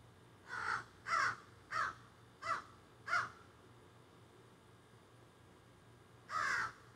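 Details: Crows flown up into trees behind a garden, squawking and carrying on, recorded on a cell phone: five harsh caws in quick, slightly uneven succession, a pause of about three seconds, then one more caw.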